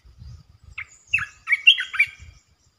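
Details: Red-eyed bulbul holding territory calls with a few liquid, slurred chirps rising and falling, linked by a thin trailing whistle, over soft low thumps.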